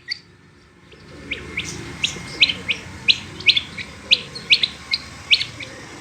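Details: Female rain quail calling: after a second of near quiet, a lively series of sharp high chirps, often doubled, repeated about twice a second.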